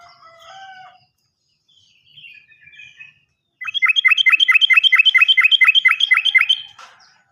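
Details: Yellow-vented bulbul song used as a lure to spur silent birds to sing: soft warbled notes, then a fast, even, rapid-fire trill of sharp bright notes lasting about three seconds, ending abruptly.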